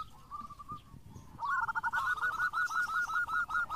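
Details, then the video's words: Singing local zebra dove, used to prompt other doves. A soft, wavering coo is followed by a quick, steady string of clipped, rolling coo notes over a faint background rumble. "JAWARANYA PANCINGAN !! ( Perkutut Lokal Gacor )"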